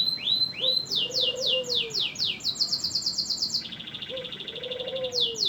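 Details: Canary in full, energetic song for tutoring other birds: rising whistles, then a run of rapid falling notes that speed into a quick trill, a steady buzzy rattle, and more falling whistles, over a soft low background tone.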